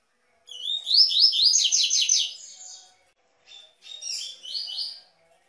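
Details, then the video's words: Double-collared seedeater singing a Tui Tui style song, used to warm up and train captive birds: a rapid run of high, sweeping slurred notes rising in pitch, a short pause, then a second briefer phrase. "O Melhor Canto de Coleiro Tui tui"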